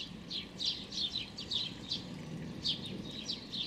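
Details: A small hungry young sparrow with very pale, almost white feathers, begging on 16 May 2019, gives insistent high scratchy chirps two or three times a second over a low steady hum.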